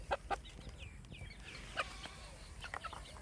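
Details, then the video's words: Baby chicks on a farm peeping in quick, bright descending chirps, with short clucking notes and a steady low rumble of farm ambience underneath. "Baby Chick Chirping Sounds"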